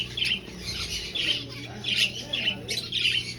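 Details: Short nasal chirps and squeaks from aviary finches in a breeding colony, repeated roughly once a second in little bursts.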